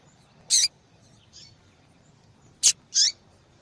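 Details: A female yellow-bellied seedeater calls to warm up a male so he sings, a call prized in female-call contests. It gives sharp high clicks and bright slurred chirps in two pairs about two seconds apart against a quiet background.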